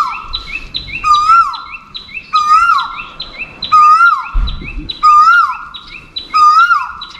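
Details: Asian koel calling repeatedly to find a mate: five rising-then-falling whistled notes come roughly every 1.3 seconds, while another small bird chirps in short high bursts between them and faint low noise rumbles.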